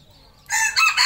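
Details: A red junglefowl on a farm in Cambodia gives a loud, harsh, broken crow in three quick bursts after a moment of quiet.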